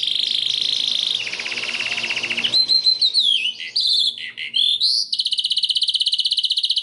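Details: White canary training song: a bright, steady high trill, then slurred rising and falling whistled notes and short twittering phrases, ending in a fast buzzy roll repeated several times a second.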